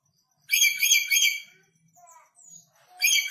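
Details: Red lory, recently brought from North Maluku and still fierce, gives a loud rasping screech lasting about a second, followed by soft squeaky notes and another harsh screech starting.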